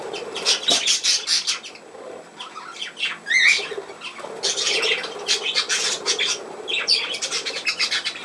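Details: Budgerigar chatter: dense high chirps and harsh squawks, a rising whistled note midway, continuing in irregular bursts throughout.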